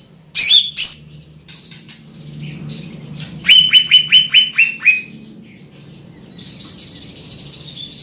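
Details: Loud song of a large-bodied greater green leafbird: two harsh opening notes and softer buzzy phrases, then a run of about six clear whistles that dip downward, fading into a thin high rasp. A constant low hum sits beneath.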